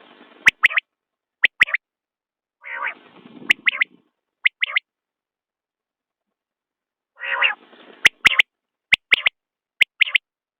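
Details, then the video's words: Common quail giving short, sharp, liquid notes in quick clusters, with two soft, low, nasal growling phrases between them; sharp clicks are also heard. "بٹیر کی آواز/ quail bird sound"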